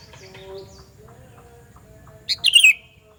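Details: Sooty-headed bulbul's loud, ringing call for luring other bulbuls: after two quiet seconds of faint distant chirps, one quick, rich, bubbly phrase of several notes sliding downward.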